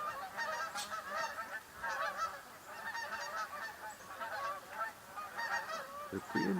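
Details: A flock of Canada geese circling over a house on October 3rd, drawn by ducks in the open below, gives a steady chorus of overlapping nasal honks, many birds calling at once with no pause, plus a few low thumps near the end.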